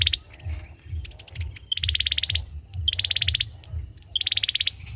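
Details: Olive-backed sunbird, a male, in song. Clipped high note, then a rapid run of bright buzzy pips, repeated four times with short pauses. Faint scattered ticks and a low droning hum beneath.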